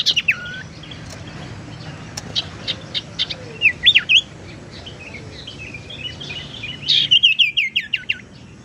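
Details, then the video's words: Tailorbird lure sound used to attract birds or prompt silent ones to sing: varied high chirps, whistled swoops and rising-falling notes scattered across several seconds, ending in a dense burst of sharp repeated chips. "suara pancingan sirtu teras"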